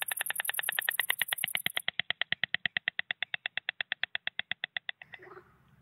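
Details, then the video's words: White stork (Ciconia ciconia) rattling: a dry, wooden clattering of about forty rapid knocks over five seconds, made by snapping the beak rapidly with the head tilted back, with a thin high whine at the start. "White stork sound"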